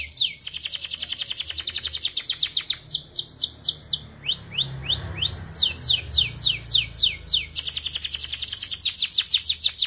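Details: Belgian canary singing at length: fast trills of repeated notes, then a run of rising slurred whistles, switching back to rapid high trills, loud and continuous.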